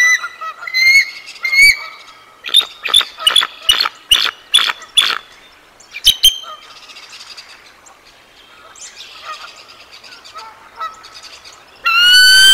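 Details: Bald eagle at the Decorah North nest, Iowa, on 4 April 2024: the female sounds the alarm as an intruder flies over and her mate chases it off, with high, thin piping notes in a fast stuttering series of about eight, softer chatter, then a loud final burst.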